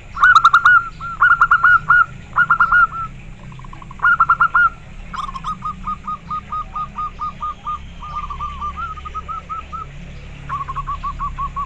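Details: Local zebra dove singing persistently and clearly: rapid series of short, soft cooing notes with a rolling, stuttering rhythm, delivered in bursts of several notes with brief pauses. Some series overlap, suggesting more than one bird.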